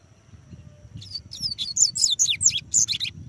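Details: Singing from a person's hand, a double-collared seedeater delivers a rapid jumble of high, twisting whistled notes, each slurring downward, continuing about two seconds over low background hum.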